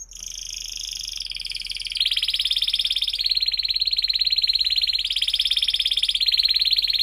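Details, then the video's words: Singing canary, used as a lure to help young birds learn to sing and to restart canaries that have stopped: sustained rapid trills of high pulsed notes, shifting in pitch and growing louder after two seconds. "kenari gacor panjang Cuit Cuit EMOSI, Pancingan Kenari Paud Belajar Bunyi, terapi AMPUH Kenari MACET"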